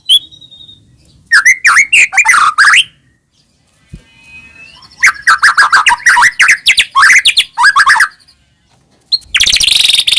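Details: White-rumped shama song used as a lure to make caged birds sing: loud bursts of rapid buzzy rising and falling notes, a clear whistle at the start, a pause, then a harsh loud burst at the end.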